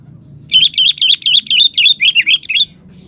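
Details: Lively sooty-headed bulbul song: a rapid chattering run of about a dozen bubbly, warbled whistled notes over two seconds, pitch wobbling up and down, with a soft low background hum.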